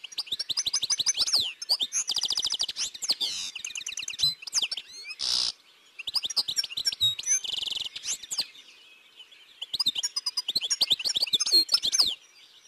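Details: Lively, fast babbling song of a European goldfinch recorded in Côtes d'Armor, France, high-pitched repeated twitters, rolls and buzzy trills in long uneven phrases with short pauses, one brief harsh burst midway.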